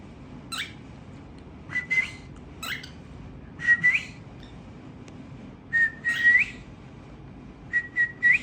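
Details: A tamed cockatiel from a family of singing birds gives short whistled calls, each a brief click sliding into a level whistle that lifts at the end, repeated in pairs roughly every two seconds.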